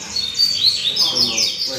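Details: Caged rusty-collared seedeater singing on a training circuit: a rapid run of high whistled and trilled notes, sweeping and warbling continuously, with faint background music.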